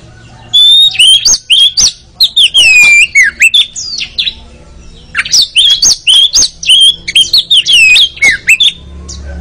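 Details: Training song of the Oriental magpie-robin, meant to get birds singing in the ngeriwik chattering style; fast loud sequences of sweet whistles, slurred notes and crisp clicks in two long bursts.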